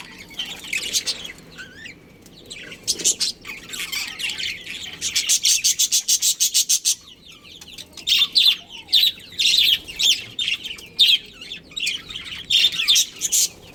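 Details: Breeding pair of budgerigars in a colony chirping: dense, high, scratchy chatter and warbles, with a rapid run of evenly spaced clicking pulses in the middle, then further bursts of overlapping chirps from several birds.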